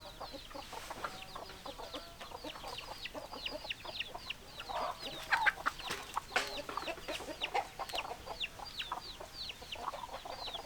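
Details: Chicken flock with hens clucking: a dense, continuous stream of high, downslurred peeping notes over short, low clucks from many birds, with loudness peaks around the middle.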